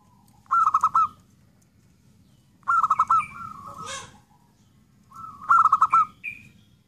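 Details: Zebra dove giving three bursts of fast, beaded cooing, each trailing into a drawn-out note. A short, harsh noisy sound follows the second burst.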